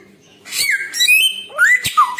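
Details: Samyong bird giving a burst of clear whistles: a long level whistle that steps upward, then quick rising and falling slurred notes with a harsh click between them, after a short quiet start.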